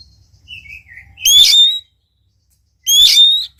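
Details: Oriental magpie-robin song used to get a reluctant bird singing: soft falling whistles, then two loud rising whistled phrases with buzzy harmonics, separated by a brief silence.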